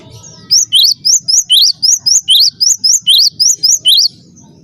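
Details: Energetic cinereous tit song played to train birds: a steady string of about fifteen bright, high chirps at around three per second, pitches alternating lower and higher, with quiet low hum before and after.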